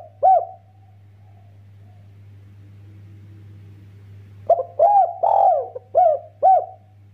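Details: Spotted dove giving a loud, fast 'master' call with a doubled 'kuk' ending, meant to set other doves calling: one hollow coo, a long quiet gap with low hum, then a burst of five mellow rounded coos.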